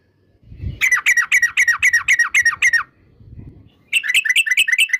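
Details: Hurried, slurred chattering notes from a yellow-vented bulbul in the 'uplik ngeprul' style used to draw out singing. Two quick runs of falling notes with a soft low rumble in the pause.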